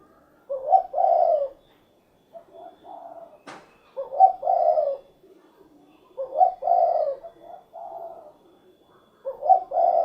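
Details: Derkuku, the spotted dove, cooing in a repeated phrase that imitates cukurukuk kuk geruk: four low mellow bursts about every two and a half seconds, each a clipped note joined to a drawn-out coo, with softer murmurs and a sharp click between.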